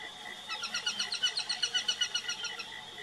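Peregrine falcon giving a harsh, rapid series of kek-kek notes, about four per second for two seconds, over a faint steady high-pitched hum.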